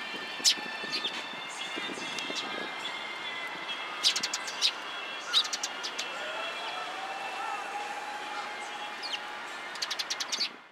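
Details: Several sparrows arriving in a cherry tree at a Tenmangu shrine, Japan, on 24 March 2023: bursts of sharp chirps in clusters, with a passing vehicle and other low background sounds.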